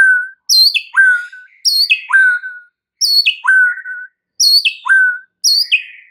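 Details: Shama song played as a lure to rouse other birds: loud whistled phrases stepping down from high to low, sometimes with an extra low slur, repeated steadily five times with short gaps.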